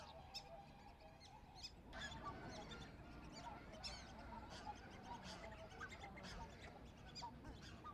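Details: Black-necked swans (Cygnus melancoryphus) calling with brief, mellow honks scattered through the recording, set against a continuous low background hum and many crisp, ticking noises.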